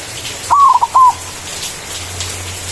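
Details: White zebra dove in full manggung song, used as a lure to call a rival: a longer wavering coo, a quick short note, then a second drawn-out coo, over faint patter and low hum.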